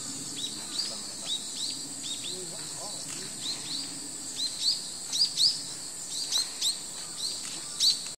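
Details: Grey-streaked flycatcher in autumn at Kobozan Park gives short, thin, high chirps at irregular intervals over a steady high-pitched insect-like hiss, while being pursued by photographers.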